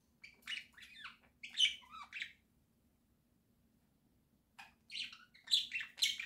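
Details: Budgerigars kept as pets in a home flock, October 2024, singing: two bursts of rapid, chattering warble of squeaky chirps and short rasping notes, with a pause of about two seconds between them and a low indoor hum underneath.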